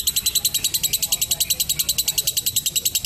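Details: High, rapid lovebird ngekek, a long trill for training juvenile birds: crisp, evenly spaced chattering pulses, roughly seven a second, in a very regular rhythm over three seconds.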